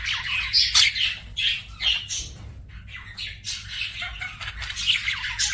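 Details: Pet budgerigar chatter: harsh, buzzy squawks mixed with thin whistled chirps, arriving in roughly regular bursts a little under half a second apart over a low background hum.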